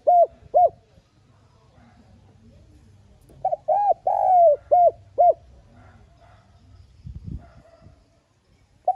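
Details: Spotted dove soft urging lure coo: two short coos, a pause, then a full phrase of brief coos around a long falling coo, a faint thump, and one more coo at the end.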